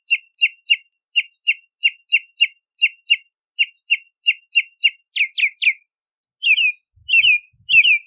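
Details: In this Bahama mockingbird song, a clipped chirp repeats in pairs and triplets, then three quick rising-falling notes, then spaced, longer slurred whistles; faint low thumps near the end.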